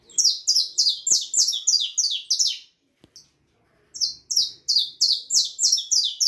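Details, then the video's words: Harlequin saffron finch youngster, 4.5 months old, singing a rapid series of loud, high, down-sweeping chirps, about three per second, broken by a short pause before the run resumes. "canario da terra filhote arlequin cantando muito 4 meses e meio de vida"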